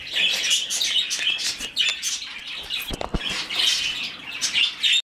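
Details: Rescued budgerigar chick during hand-feeding, rapid raspy begging chirps in repeated bursts, interrupted near the middle by a few sharp clicks or taps, ending abruptly.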